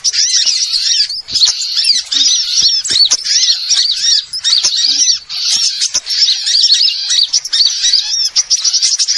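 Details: Small birds heard as a lure sound used for trapping birds: a dense, noisy chorus of high, sharp chirps and quick rising-and-falling whistled notes, many callers overlapping almost without pause, with a few short breaks.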